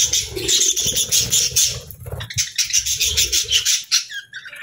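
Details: Joyful budgies keep up a steady, dense, high-pitched chatter of scratchy chirps and warbles throughout.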